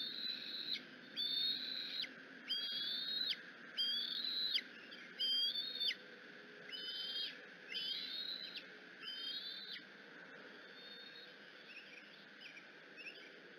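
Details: Hungry Bald eagle eaglet on the Decorah nest screeching when its mother comes in; about eight sharp, high whistled screeches with quick up-and-down slurs, spaced under a second apart, then tailing off into faint calls and hiss.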